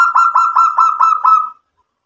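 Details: A local zebra dove, in lively song meant to make other doves answer, gives one clear rolling phrase of about seven evenly spaced pulsed coo notes over about one and a half seconds, then silence.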